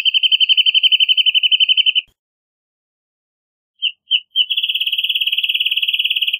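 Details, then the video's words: Wrentit song: a fast, even trill of short clipped notes held for about two seconds, a brief silence, then two separate lead-in notes that break into a longer steady trill at the same high pitch; quiet background, no other sounds. "Wrentit Singing! Wrentit Calling! Wrentit Chirping! Wrentit Sound!"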